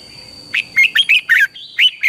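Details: Red-whiskered bulbul singing in the morning, a training and lure recording to spur other bulbuls into fired-up song; after a half-second pause, seven quick bright warbled notes rise and fall in rapid succession, with a faint steady high tone behind.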